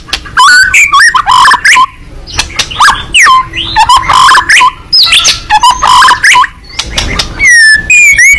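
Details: White-rumped shama fighting bird in full song with open beak: dense, varied phrases of chattering notes, slurred whistles and harsh clicks, nearly continuous with short breaks.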